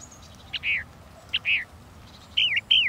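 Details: Northern mockingbird: two drawn-out downslurred whistles, then a pair of quick wavering, warbled notes.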